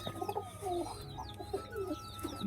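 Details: Short, soft, low pigeon coos repeat every half second or so, each gently bending in pitch. Faint high chirps and a steady background hum accompany them.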